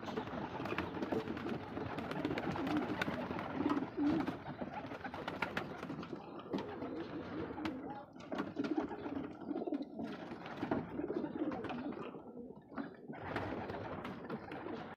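Shirazi pigeons giving low, soft, throaty coos in overlapping rolling phrases.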